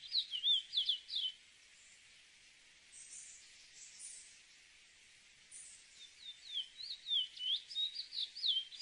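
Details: Chestnut-bellied seed finch song in two bursts: a fast cluster of slurred whistles, a quiet gap of several seconds, then a longer string of bright down-curving notes, with faint high hiss between.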